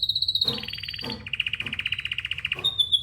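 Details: Pet canary singing indoors, calling for other canaries: a high steady whistled trill, then rolling rapid trills of repeated notes, about four per second, with brief clicks between phrases and a high whistle closing.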